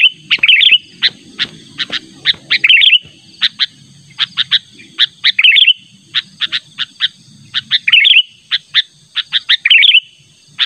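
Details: Sooty-headed bulbul calling insistently to draw a rival, used as a bird-trapping lure: dense run of sharp high chips interspersed with short bubbling warbled phrases, steady and repeated, over faint low rumble.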